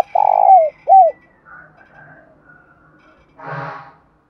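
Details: Spotted dove used as a lure, giving its call to provoke other doves: a full coo sliding down, then a shorter curved coo, followed by soft background twitters and a brief, harsher burst of sound.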